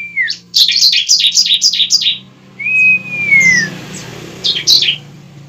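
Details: Bar-winged prinia fighting song used to prompt a young bird: a quick string of rasping high chirps, then a long smooth descending whistle, a pause and two more chirps over a faint low hum.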